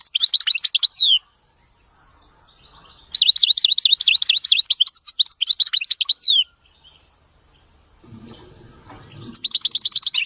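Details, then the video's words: Captive European goldfinch giving a clean, fault-free song in separate bouts: descending tinkling trills, then a long rapid series of high ringing twitters, a quiet gap with a low rustle, and the twittering resuming. "تغريد ملك الطيور المغردة الحسون (المقنين) نظيف وخالي من الأخطاء"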